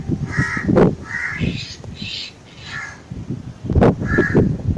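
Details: Calls of a black drongo: hoarse, buzzy notes alternating between lower and higher pitches with short gaps, over loud, steady low-pitched background noise and a few knocks.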